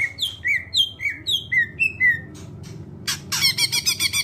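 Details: Greater green leafbird singing clearly to lure other birds into song: a quick descending series of paired whistled notes, about four per second, followed by a dense buzzy rattle.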